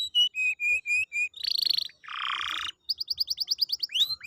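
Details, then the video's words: Canary song to get a quiet canary singing again: a row of short flat whistled notes, a buzzy rattle, a harsh broad churr, then a rapid run of clipped high notes ending in an upslur. "pancingan kenari malas bunyi/agar gacor lagi"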